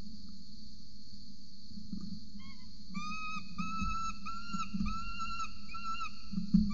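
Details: Peregrine falcon adult feeding a chick at its nest in Orange, Australia, 26 November 2020, early morning, nest-camera audio. After a quiet start with a few faint notes, a run of steady, whining tonal calls repeats quickly. Low rumbling and bumps sound underneath.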